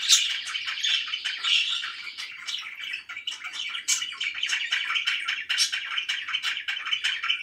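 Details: Pet budgerigars in a happy mood keep up a steady stream of scratchy warbling chatter dotted with quick clicking chirps and brief squeaks.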